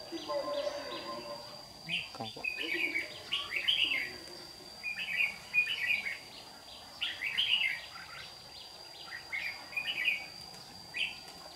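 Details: White-cheeked Red-whiskered bulbul decoy duelling in song at a trapping site in Đồng Nai, Vietnam, morning of 26 June 2019; bouncy phrases of quick whistled chirps repeat about every two seconds, with a steady high tone behind.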